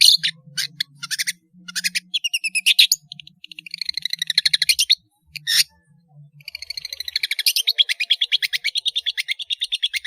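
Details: Long-tailed shrike singing actively, a tutor recording for juveniles; long fast rattling trills of harsh repeated notes alternate with brief pauses and chattering bursts, with a faint low hum.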